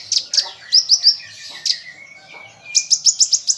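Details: Common iora (konin) song, isian rambatan full tembakan style, played to train pet songbirds: high piercing chirps in quick pairs and triplets, a thin drawn-out whistle in the middle, then a fast run of five sharp notes.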